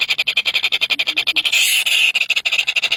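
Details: Hungry nestlings, three of them, make quick pulsed high-pitched chirps in rapid series, with a short sustained shrill squeal in the middle before the rhythmic chirping returns.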